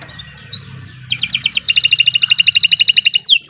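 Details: Canary song for training other birds: a quiet start with a couple of soft upslurs, then a rapid, evenly paced trill of paired high and lower notes running to the end.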